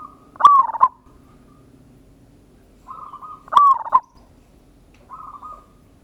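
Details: Lure song of a local zebra dove in the ngayer kerot nutut style, meant to draw a fast answer. Two loud rolling coos with clicking starts, each preceded and followed by softer level hums.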